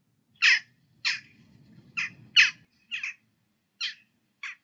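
Western jackdaw giving seven short, sharp 'chack' notes at uneven half-second gaps, with a faint low rumble in the background.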